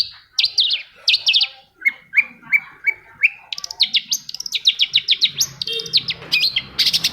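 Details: Long-tailed shrike song played to coax silent shrikes into singing: a dense, varied stream of bright chattering phrases, falling slurs and quick repeated high notes, loud and almost continuous over a quiet background.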